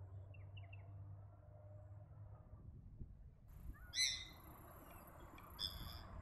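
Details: Australasian swamphen giving a loud, harsh, screeching call with stacked overtones after about three quiet seconds, then a shorter second screech near the end, over steady low rumbling background noise.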